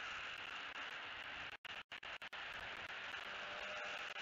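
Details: Steady hissing noise, strongest in the upper-middle range, with a few brief silent dropouts and faint ticking; no animal voices.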